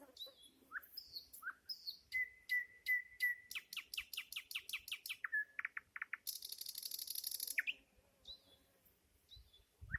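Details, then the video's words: Nightingale phrases: soft whistles, a series of even repeated notes, an accelerating run of sharp strokes, then a long harsh high rattle fading into quiet whistled notes. "Ласкающая слух песня соловья"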